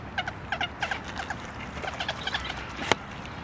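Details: Common moorhen (Gallinula chloropus) in Tivoli Landscape Park, Ljubljana, Slovenia, December, giving a quick, uneven series of throaty clucking notes, some doubled, for about three seconds, ending with one sharp click.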